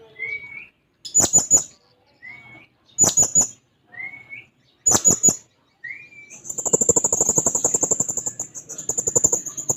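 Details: Blue-crowned hanging parrot calling out for a rival with repeated triplets of piercing high chips, each introduced by a small rising whistle. A long rapid buzzy rattle with a high ringing edge follows.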